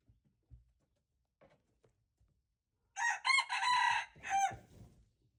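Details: Red junglefowl crow, recorded February 26, 2025: after a few soft low thumps and rustles, a single hoarse multi-part crow of choppy, strained notes lasts about one and a half seconds, then fades with faint low background rumble.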